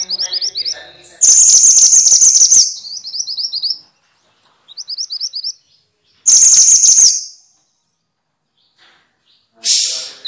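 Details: Minivet, Javanese mantenan or Indonesian sepah, used as training song for songbirds: rows of quick rising high notes alternate with intense shrill trilled bursts, spaced by silences of one to two seconds.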